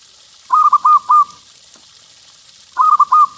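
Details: Local zebra dove with a big voice, used to coax other doves into song; two brief phrases of three rolling, bubbling coos, about two seconds apart, over quiet background.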